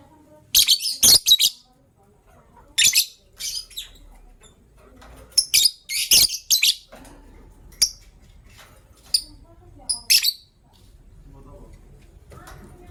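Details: Morning calls of caged gray and yellow-green lovebirds, a hen ready to lay: bursts of shrill, rasping chirps, then sparse single high tweets fading into low background hum.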